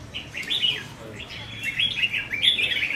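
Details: Short burst from caged red-whiskered bulbuls during contest singing practice, 15 May 2021: chattering, slurred whistles repeated in quick phrases, several birds overlapping.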